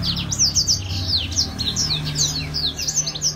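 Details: Lively grey singing finch (blackthroat) song: quick successions of high, slurred whistles and chirps, sweeping down and up, delivered almost without pause over a faint low hum.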